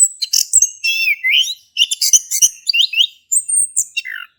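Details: Lively male orange-headed thrush singing in 'ngeplong' style, Indonesia, meant to stir a silent thrush: a quick jumble of chattering notes and slurred whistles, a short gap, then clear high whistles falling away at the close.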